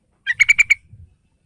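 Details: Young-bird lure of a yellow-vented bulbul (trucukan), meant to prompt a caged bird to sing: a single short bubbling phrase of five quick, rich notes, the first slightly lower, ending abruptly.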